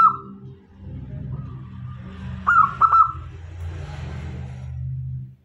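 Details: Local zebra dove used as a decoy to draw in male and female doves, giving one loud stuttering cooed phrase midway, with faint trailing coos before and after and a steady low hum underneath.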